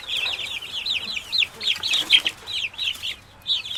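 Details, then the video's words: Young chickens in a henhouse peep loudly: a quick series of high, arching cheeps, some doubled, spaced by short pauses. "Efecto de Sonido de pollito en gallinero"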